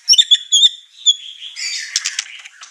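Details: White-rumped shama in an over-excited state, unloading its song repertoire and agitating the other birds in the house: a few sharp whistled notes, then a blurred, scratchy burst of song.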